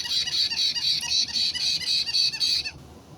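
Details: White-bellied caique parrot, 29 March 2022, screeches loudly in a rapid string of harsh, shrill notes, roughly four per second for nearly three seconds, then stops abruptly.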